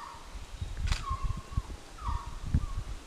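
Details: Resplendent quetzal encountered in the Altos de Chiapas gives two drawn-out whistled notes, each sliding downward and then levelling off, about a second apart. Heavy low rumbling noise and one sharp click run underneath.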